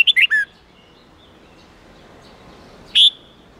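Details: Red-whiskered bulbul singing an 8-9-10 note wild-standard style song, used to train young birds: a quick burst of three bright whistled notes, then near silence, then one sharp rising whistle near the end.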